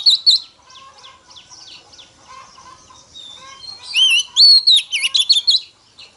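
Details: Soft, quiet twittering gives way to a loud phrase of sweet slurred whistles and fast notes from a female Oriental magpie-robin singing to stimulate a male.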